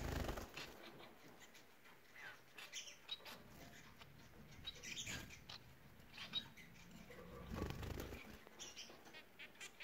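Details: Bengalese finches singing together: irregular strings of short, chirpy and buzzy notes scattered through ten seconds, some faint fluttering, over a low background hum.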